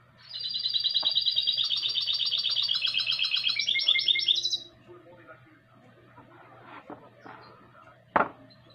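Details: Song of a goldfinch × canary hybrid, 2020: four seconds of fast, ringing trills with stepping pitch changes, followed by near silence, faint background sounds and one sharp knock.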